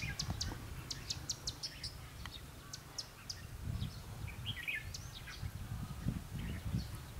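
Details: Red-whiskered bulbul used as a decoy during trapping in Vietnam on 5 November 2016, singing to challenge rival wild birds. Short, sharp chirps and clicks repeat rapidly, with a brief warbled phrase near the middle, over steady low rumbling background noise.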